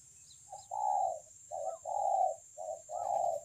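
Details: A 'bổi' spotted dove with a much-admired voice, 9 June 2020, Kon Long, gives loud, rounded cooing: a brief note leading into a longer, fuller coo, repeated three times, over a background hiss.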